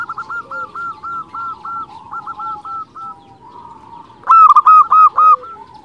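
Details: Zebra dove song meant to attract and excite other zebra doves: a steady train of short, clipped coos, about four per second, fading, then a louder bird answers with a strong run of ringing coo notes.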